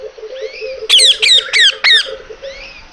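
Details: Pet green parrots screeching: four loud, harsh, raspy squawks in rapid succession, with fainter softer calls and a low steady hum underneath.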